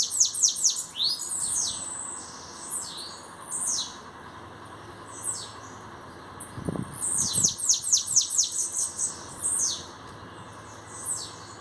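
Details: Newly arrived bananaquit displaying its song in two bursts of fast, high-pitched, descending wheezy sweeps separated by quieter scattered notes, with a brief low knock midway.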